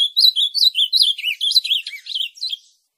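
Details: Azulão, the ultramarine grosbeak, in a song chosen to rouse a captive bird into singing: a run of bright looping whistles, dipping to lower notes near the middle, then climbing back before fading; quiet background.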